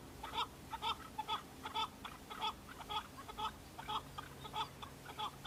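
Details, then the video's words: Fighting male Chukar partridges displaying to females on Bamo mountain, Kurdistan, in breeding season, repeat grouped chuck-a-chuck phrases about twice a second, each phrase of two or three notes, over a faint low hum. "شەڕە کەو - دەنگی کەو - معرکة بين الطيور حجل- کبک - صوت حجل - Chukar partridge fighting -Chukar call"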